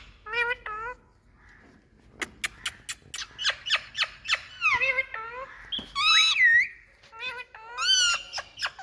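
A rose-ringed parakeet gives harsh, squeaky chattering and shrill screeches, with sharp clicks and nasal squawks in irregular bursts, seemingly indoors.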